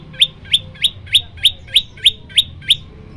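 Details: Eight crisp, rising whistled notes at an even pace of about three per second, the 'shot' song variation of an olive-backed tailorbird in full voice, used as tutor material for other birds; a low hum lies underneath.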